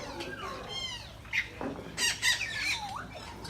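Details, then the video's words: Birds inside Bangabandhu Sheikh Mujib Safari Park, Gazipur, Bangladesh: quieter mix of squeaks and short harsh squawks, a few louder bursts midway, and a curving whistled note near the end. "Birds Making Nice Sounds at Gazipur Safari Park"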